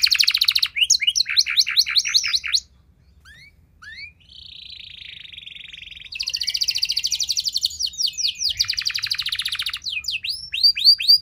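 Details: Canary song meant to stimulate other canaries to answer: quick trilled phrases, a pause with a soft buzzy tone, then renewed rapid repeated notes and descending whistled sweeps.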